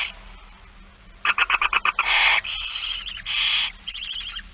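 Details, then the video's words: Barn owls begging at feeding, 8 September 2019 at 16:02: a run of about seven quick ticking pulses, then loud breathy hisses interleaved with fast twittering chitters. "Kerkuil It Fryske Gea 2019 09 08 16 02 voedering"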